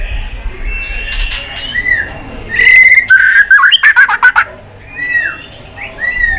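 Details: Fighting song of a white-rumped shama being stirred up, tail flicking: soft whistles build into a loud passage of clipped, rapid notes mid-clip, then easing to scattered short whistled slurs.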